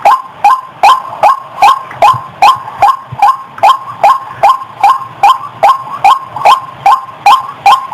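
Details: White-breasted waterhen calling with a repeated, throaty 'kru-ak' note at a brisk, steady rhythm of about two and a half notes per second.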